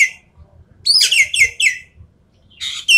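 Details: Rapid-fire song of a Javan pied starling, used for training champion songbirds: a tight run of four loud, falling, harmonic whistles followed by a rougher buzzy phrase, with a brief quiet gap between.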